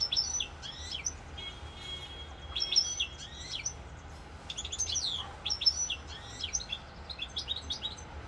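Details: Goldfinch song from Corsica, recorded 7 November 2022: bright, tumbling twitters and quick slurred whistles in irregular bursts, including a brief thin buzzy passage, over a faint background hum.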